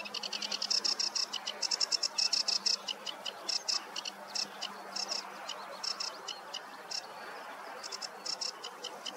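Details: Warm-morning meadow song of a sedge warbler: dense strings of harsh, rapid chattering notes, loud at first, then sparser grouped bursts with brief gaps toward the end.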